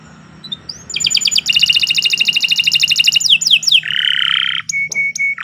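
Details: Canary singing a long master song for training: a fast metallic rolling trill, a few sweeping whistles, a harsh buzzy passage, then short clear held whistles; faint low hum behind.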